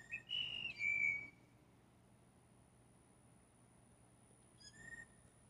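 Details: Blue jays calling in courtship, several competing for one female: a bright, flute-like whistle that rises then steps down and holds, followed by silence and a faint short note near the end.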